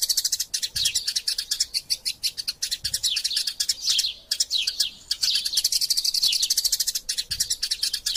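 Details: Eurasian tree sparrows fighting and calling vigorously, recorded as a tutor track for training other songbirds: dense, fast, high chirps pour out almost without pause, overlapping in a busy chatter with a few brief gaps.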